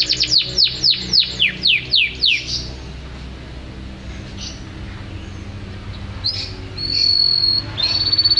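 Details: Canary song, stated as unedited: a fast series of about ten sharp descending whistled notes in the first two and a half seconds, a pause, then thin sustained high whistles near the end.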